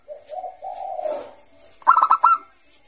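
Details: Bangkok zebra dove in full 'ngayer' song, meant as a lure for young doves; a low, drawn-out rolling coo fades, then a quick cluster of four sharp, bright coo notes follows.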